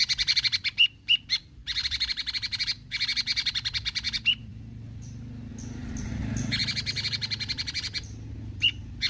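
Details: Bulbul gacor besetan singing: repeated fast chattering runs of buzzy pulses punctuated by sharp whistled notes, easing into a softer stretch with faint high calls before resuming.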